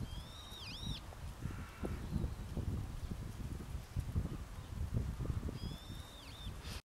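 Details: Two Brown-eared bulbuls (Hypsipetes amaurotis) at a rental farm opposite Koyasan Momoyama Park answer each other with shrill, squealing calls several seconds apart, over a steady low rumble of wind or handling noise.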